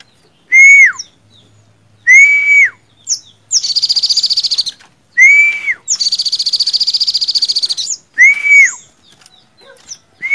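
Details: Olive-backed sunbird, known in Indonesia as sogon or sogok ontong, singing: clear high whistled notes that fall at the end alternate with long buzzing rattled trills, each phrase spaced about one to two seconds apart.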